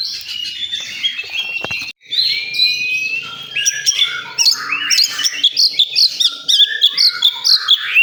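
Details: Oriental magpie-robin singing at a songbird contest site, opening with warbled phrases and a brief break, then quick runs of bright upslurred and downslurred whistles repeated in lively bursts.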